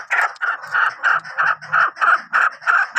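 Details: Chukar partridge kept for hunting, giving a steady series of loud, clucking chuk notes, about three per second, evenly repeated and mid-pitched, with no other clear sounds.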